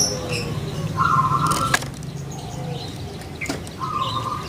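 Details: [1, 'likely', 'song', 'Kept Barbary dove of the puter pelung type from Java, Indonesia, giving drawn-out tonal cooing notes around a second long, with other small birds chirping and a burst of wing flapping in the background.']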